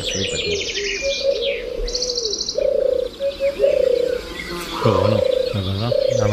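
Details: European turtle doves in Iberian dehesa savanna, Extremadura, give soft, low purring phrases in short bursts, about one every second or two, with high thin chirps of small songbirds overhead.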